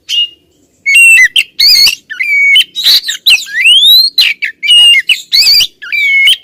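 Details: Female Oriental magpie-robin calling insistently at a male: dense bursts of loud whistled notes, sliding rising and falling phrases mixed with harsh scratchy squawks, nearly continuous after a short opening note.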